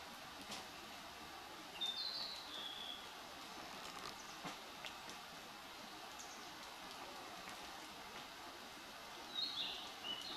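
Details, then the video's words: Narcissus flycatcher singing in Chino, Nagano Prefecture, Japan, July 2015: brief high whistled phrases with a slurred downward ending, one near two seconds and another near the end, set against constant hissing environmental noise. "コガラの鳴き声？→ キビタキ"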